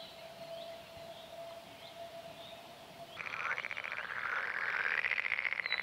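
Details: Red-necked Grebe pair from April to May. A quiet stretch with faint notes gives way to a loud, fast, rhythmic rattling trill that rises and swells into a high, drawn-out squealing wail.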